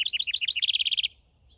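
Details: A nest-building male house wren in a backyard gives a run of bouncing two-note squeaks that shifts into a rapid, steady, ringing trill of identical notes, cut off abruptly before a short quiet gap.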